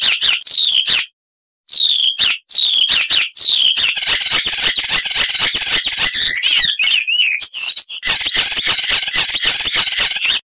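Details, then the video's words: Loud, richly varied icterine warbler song with mimicry: sharp downslurred whistles, then a long, dense stream of rapid harsh chattering notes mixed with squeaky twisting whistles. "Icterine Warbler (Hippolais icterina)"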